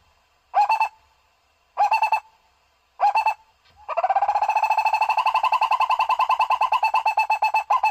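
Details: Luring call of a barbet: three short bursts of knocking low notes, a brief pause, then a sustained rapid-fire trill of pulsed hollow notes lasting several seconds, with nothing else heard.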